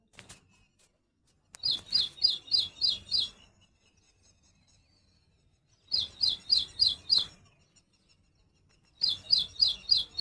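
A Little Woodstar gives quick bursts of five or six sharp, high chirps, the bursts coming every three or four seconds against a quiet background.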